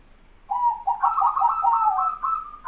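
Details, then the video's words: Zebra dove, Bangkok and local perkutut birds, cooing: a run of soft, mellow, bubbling coos lasting about two seconds, with slight wavering in pitch between notes. "SUARA BURUNG PERKUTUT BANGKOK & PERKUTUT LOKAL"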